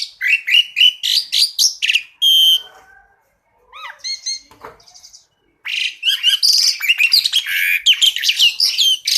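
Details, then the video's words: Asian pied starling masteran tutor song in tembakan style, full of variation: a fast series of repeated sharp notes and a buzzy burst, a quieter faint passage, then dense scratchy chatter with whistles. "Masteran Jalak Suren Tembakan"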